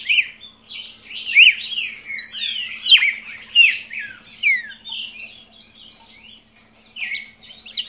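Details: Young red-crested cardinal in lively song, a tumbling series of clear whistled slurs and chirps, loud for the first five seconds then trailing into softer scattered notes, over a quiet steady hum.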